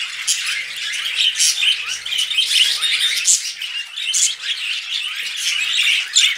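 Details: Budgerigars mating: dense, continuous warbling chatter of several birds, many overlapping chirps and squeaks concentrated high in pitch, with no pauses and a steady busy texture throughout.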